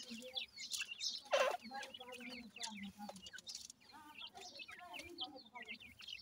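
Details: Grey francolin chicks feeding: a busy flock of thin, high, slurred peeps. Short low clucks and a loud rasping burst come early on.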